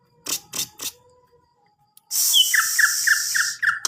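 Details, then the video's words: Greater green leafbird song: after a few sharp clicks and a pause, a rising whistled note leads into a quick run of about six clear whistled notes on one pitch, over a loud steady hiss. "Burung Cucak Ijo"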